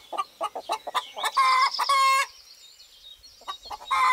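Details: Countryside rooster in spring 2018 giving a loud, raspy crow in two drawn-out parts of about a second together, preceded by quick rhythmic clucking from hens and followed by a quiet stretch with thin high bird calls.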